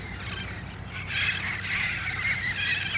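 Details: Red-crowned parrots, wild, assembling at dusk in El Cajon before flying to roost trees nearby, August 2018; a dense din of shrill, grating squeals swells louder after the first second, with a low droning hum underneath.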